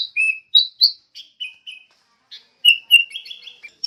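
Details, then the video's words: Sooty-headed bulbul, played as a training lure for songbirds, sings clear whistled notes, some rising, then a pause and a fast string of short chirps. "PIKAT SUARA BURUNG KUTILANG (MASTERAN)"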